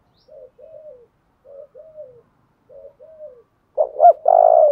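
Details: Spotted dove calling to stimulate decoy birds: three quiet two-note coos, evenly spaced about a second apart, build into a loud phrase of two upswept notes and a long, steady coo.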